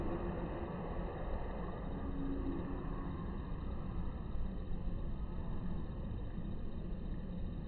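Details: Continuous muffled low-frequency rumble with steady electrical hum lines throughout and no animal voices.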